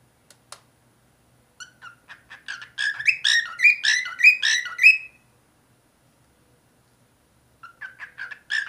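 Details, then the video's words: Cockatiel singing and whistling: scattered short chirps build into a dense two-second run of rapid, repeated warbled whistle notes with rich overtones, followed by silence and a fresh burst of chirps; no other sounds. "cockatiel singing whistling talking"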